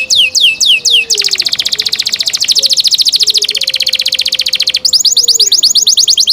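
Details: A canary sings a few sharp down-slurred notes, then holds a long fast rattling trill for several seconds, ending in quicker bright sweeping phrases.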